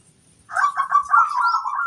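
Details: Local zebra dove giving a lure song meant to draw answers from other doves: a short burst of rolling, trilled coos at an even pitch after a brief silence.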